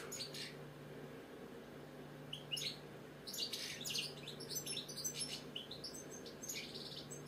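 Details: Captive British European goldfinch giving scattered high twittering notes and short trills, sparse at first and then denser bursts of chirps over a steady low indoor hum.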